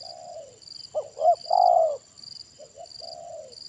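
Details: Spotted dove with a big voice of the kuk satu style, calling during a trapping session with a decoy bird: a deep coo phrase with two short hooting notes and a longer, louder descending coo, then softer coos. A steady high insect buzz runs underneath.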